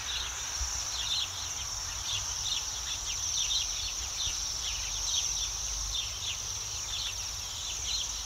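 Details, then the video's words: Spring flock of Bohemian waxwings sitting high in a city tree in Yekaterinburg after eating berries; a steady chorus of high, ringing trills from many birds throughout, with short chirps layered underneath. "Свиристели в городе весной, Waxwings in the city in the spring"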